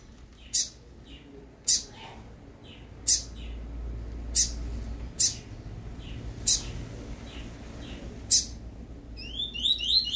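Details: Double-collared seedeater giving its 'tui tui' song, recorded as a model for young birds to learn: loud, very high clicking chips repeated about every second, each trailed by a softer echo, ending with a short run of bright rising notes.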